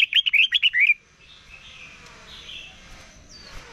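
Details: Red-whiskered bulbul in morning competition singing, training its voice: one quick phrase of about six liquid, warbled notes in the first second, then only faint, scattered bird notes over a quiet background.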